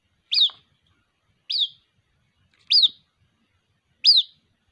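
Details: Young white-breasted waterhen calling its mother, giving four clean, high, downslurred peeps spaced just over a second apart against a silent background.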